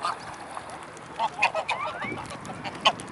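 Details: A gathering of mute swans at Blaues Wunder, 25 May 2016, mid-afternoon: separate short nasal honks spaced irregularly, with a thin rising whistle-like note sweeping upward in the middle, over low background noise.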